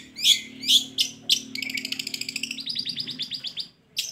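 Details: Lure song of a long-tailed shrike intended to get reluctant birds singing: two emphatic high whistled notes, then a rapid rattling trill of repeated notes over about two seconds, ending with a sharp chip.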